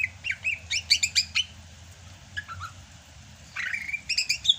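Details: Greater green leafbird from Sumatra singing hard during the rainy season: quick chattering bursts of bright notes, then a rising drawn whistle and another rapid chattered run, over a low steady hum.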